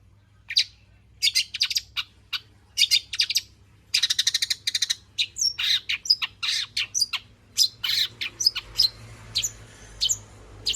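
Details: Long-tailed shrike in lively, varied song used to draw out other shrikes: dense chattering phrases of harsh notes, rattling trills and sharp falling whistles, tumbling quickly and almost without pause, over a faint low hum.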